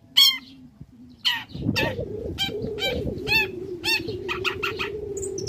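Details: A young long-tailed shrike sings to provoke rival shrikes: ringing, down-slurred harmonic notes and chattering bursts over a steady low hum and background rumble.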